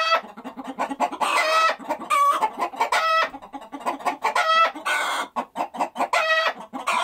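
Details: Chickens clucking in a flock: rapid low clucks repeated several times a second, broken by loud harmonic squawks and cackles from several hens, with no other sounds.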